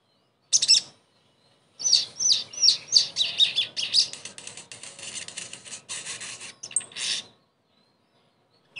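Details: Therapy song of the sogon (crested jay) to bring a silent bird back into song; one sharp note, a pause, then several seconds of fast harsh chattering with thin whistled accents.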